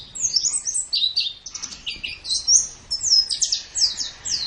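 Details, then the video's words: White-eye master song for training birds: lively high twittering with sliding whistles and quick chirp clusters, continuous and varied throughout. "Ocehan Suara Burung Pleci"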